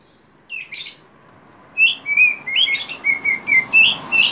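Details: Singing poci oriental magpie-robin in fast konslet delivery, played as a lure for a young bird: a scratchy opening note, a pause, then a quick chain of clear, varied whistles and twittering phrases of rising and falling notes.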